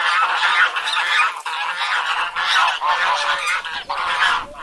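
Domestic geese honking loudly and nasally, several overlapping bursts of harsh calls in quick succession with brief pauses between.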